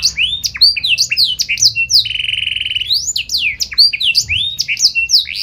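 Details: Canary in full chattering song, with special song phrasing, meant to prompt other canaries to answer: rapid high whistled notes sliding down and up, broken by a steady buzzy trill lasting about a second.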